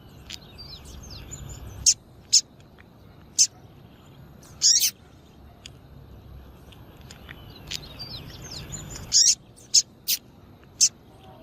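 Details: Female double-collared seedeater calling to excite males kept for singing tournaments: sharp, very high chips in two loose clusters, each of about four or five notes, over a faint chatter of distant birds.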